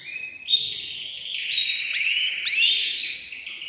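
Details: Male canary song to prepare a female for mating: a sustained, bright whistled tone broken by two sharp rising sweeps, over faint background hiss.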